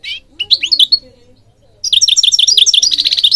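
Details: European goldfinch singing, meant to stimulate and train goldfinches: a short liquid twittered phrase, a pause, then a fast, dense run of bright chirping notes that continues to the end.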